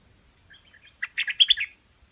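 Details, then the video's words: Brief Chinese hwamei phrase: soft scattered chips, then a fast run of loud fluty notes peaking in two clear ringing whistles. "Tiếng Chim Hoành Hoạch Thơm mồi hót chuẩn"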